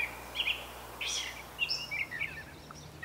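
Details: Short burst of brown thrasher song, Canada: a few high whistled and rasping phrases, one sharp upward sweep, then thinner slurred notes fading out.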